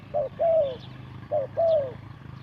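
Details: Spotted dove cooing, used as a lure for trapping: two soft low coos per phrase, a short note followed by a longer downward-sliding one, phrase repeated about every 1.2 seconds against quiet low hum.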